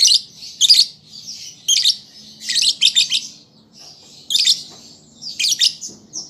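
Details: A lovebird chick learning to sing utters bursts of shrill, buzzy chips and squeaks in short groups, separated by quieter high twittering.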